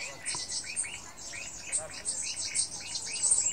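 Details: Black-throated bushtit at Fushoushan Farm, calling with soft, rounded arched notes repeated roughly every third of a second over a steady high hiss of insects.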